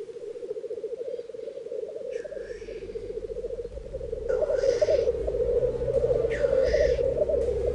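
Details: Black grouse displaying at the lek in a glen, neighbours joining in, while rival males posture over territory. A continuous low, rolling bubbling runs throughout, with rushing hissed sneezes breaking in at intervals and growing louder toward the end.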